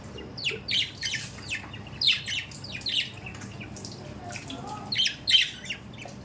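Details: Pet budgerigars chattering in short clustered bursts of high, scratchy chirps and warbles, three groups spread across the stretch with quieter pauses between.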